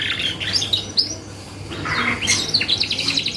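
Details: Canary song used as a lure to bring out other birds' singing: short high whistles and trills, a rough buzzy patch in the middle, then a dense scratchy chatter at the close.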